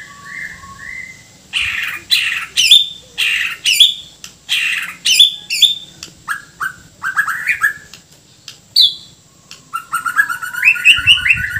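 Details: Borneo white-rumped shama delivering a rich isian kasaran medley: two smooth whistles, then a quick sequence of loud harsh chack notes mixed with upslurred whistles, ending in a warbling, twittering run.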